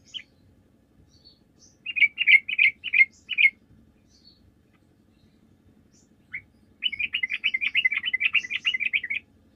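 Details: Sooty-headed bulbul in lively chattering song played as a lure so other bulbuls answer: a short burst of rapid bright notes near two seconds, a lone note, then a longer fast run of clipped chirps, with quiet low hum behind.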